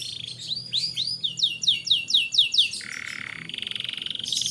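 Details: Canary song meant to stimulate young canaries: a run of high, rapidly repeated curved notes, followed by buzzy, rattling trills. A steady low hum sits underneath.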